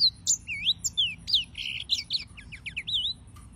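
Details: Yellow-fronted canary song of sweet, varied whistles: slurred rising and falling notes, brief buzzy elements and short trills in quick succession over a soft low hum.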